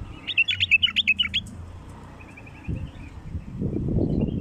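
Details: Bulbul calls played to attract wild bulbuls: a rapid run of about ten clear, sharp chirps in the first second and a half, a faint trill, then rustling and rumbling noise.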